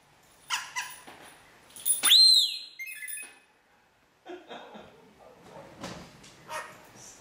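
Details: Pet rainbow lorikeet mimicking a mobile phone ringtone of R2D2 bleeps, excited while a bell ball rolls: scattered chirps, a loud high whistled bleep that rises and falls, then gurgly warbles, with faint indoor room sound.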